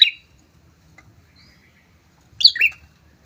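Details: A pair of prinias singing loudly, used to lure and provoke rival prinias: two short, bright chirping bursts, one at the very start and a double, slightly descending chirp after a long near-silent pause, over faint low background rumble.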